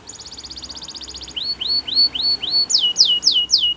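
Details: Belgian canary training song for young canaries: a soft rapid trill, then five clear upswept hooked whistles and loud sharp falling notes repeated about every third of a second.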